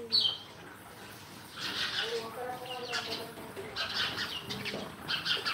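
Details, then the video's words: Sparrows giving bursts of rough, high chirps in quick clusters, with short pauses between the groups. A soft, low wavering sound sits underneath. "Sparrow Live 3"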